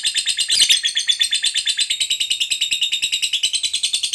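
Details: Fighter lovebird pouring out a long ngekek trill: an unbroken stream of quick, raspy, evenly spaced pulses, with a louder rough accent early on, continuing without pause to the end.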